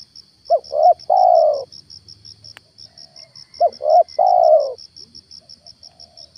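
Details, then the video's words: Lure spotted dove cooing to draw a wild stuttering dove down during a morning outing: two phrases, each of two quick clipped coos followed by a longer descending coo, with a faint steady high ticking behind. "PEMIKAT TEKUKUR/DERKUKU/DENAK DI TURUNIN TEKUKUR GAGAP"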